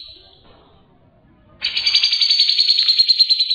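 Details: Clear ngebren song of a grey-cheeked bulbul from a long tutor track for songbirds: a faint high note, a second of quiet, then a loud, dense, buzzing trill rolling on steadily.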